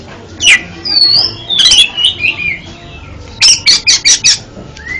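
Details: Oriental magpie-robin singing, used as therapy for a stuttering bird: a thin drawn whistle, slurred warbles, then a rapid run of scratchy repeated notes and a final short rising whistle.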